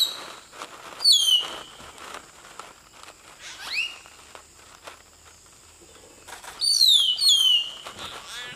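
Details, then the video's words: Common hill myna singing in Nagarahole National Park: loud, clear whistled notes sliding sharply downward, a single rising whistle midway, then a pair of falling whistles near the end, over a steady high insect-like hum. "Hill myna singing"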